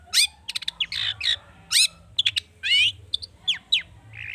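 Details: Long-tailed shrike singing an excited lure song stuffed with rich fill-in: rising and falling whistled slurs, harsh nasal buzzes and quick clicking chips in a varied, jerky sequence.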